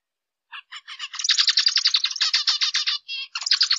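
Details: Zebra finch starting with a few spaced nasal chips, then a dense run of fast buzzy stacked notes, a brief pause and more rapid buzzing; clean recording with no background noise.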